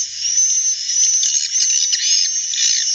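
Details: Natural calls of edible-nest swiftlets: an unbroken high, hissy twittering mass with a steady piercing whistled tone on top and small bursts of louder chirps.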